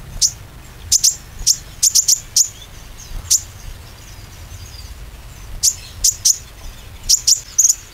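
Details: Oriental white-eye chirping to encourage bold singing in green and speckled birds. Sharp high notes come singly or in quick pairs, with a pause mid-clip.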